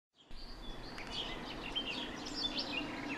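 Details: Male house sparrow in a garden, giving short bright chirps in quick irregular succession, roughly one and a half per second, over steady background noise and a low hum.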